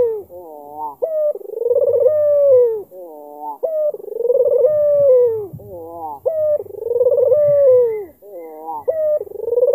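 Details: Repeated cooing of a black-collared albino Barbary dove, Kalimantan, meant to draw a response from an opponent: pulsed rolling phrases ending in long sliding notes, each cycle about two and a half seconds apart, with faint low rumble beneath.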